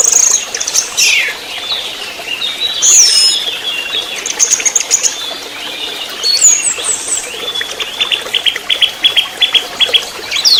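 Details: Orange-headed thrush singing in the 'trotol' style, recorded as a lure and master for songbirds: scattered high whistles and sharp chirps, rising to a rapid stuttering series of clipped notes near the end.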